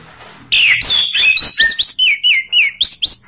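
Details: Orange-headed thrush song in a mix of rough and slow styles meant to prompt other birds to sing: a loud run of clear, sweeping whistled notes, rising and falling, repeated about four per second with short gaps.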